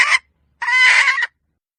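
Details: Hen letting out a short harsh squawk followed by a longer, very loud, strained nasal call lasting over half a second, then silence.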